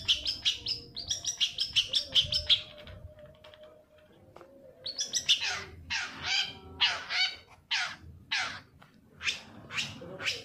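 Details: Long-tailed shrike lure for stimulating singing: busy bursts of high chatter and scratchy notes, a short lull, then a string of loud, harsh chirps repeated at about one per second.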